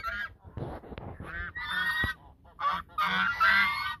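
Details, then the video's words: Geese at the mouth of the Sosúa river duet, honking back and forth in loud, nasal, harsh blasts, several overlapping calls in quick bursts over about four seconds. "El canto de los gansos"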